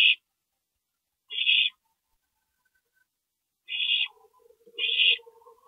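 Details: Early-morning parent stopover at an owl nest, 2:40 AM, 22 April 2012; four rough, hissing rasps, with a long pause after the second, and a low, quiet whine at the end.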